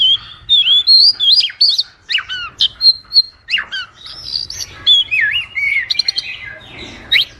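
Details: Oriental magpie-robin (kacer) song for tutoring or luring birds: rich whistled notes sliding up and down, interspersed with scratchy chips and squawky bursts, delivered in quick varied phrases.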